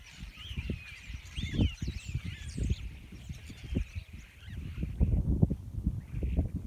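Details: Hundreds of common starlings gathered on wires in a field make a dense, continuous chatter of squeaky whistles, sliding wheezy notes and clicks, over a heavy low rumble of wind.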